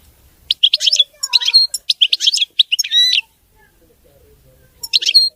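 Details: European goldfinch in clean, flawless song: a dense two-and-a-half-second stretch of high twittering, trilled and buzzy notes with fast sweeps. A pause follows, then another short twittering phrase.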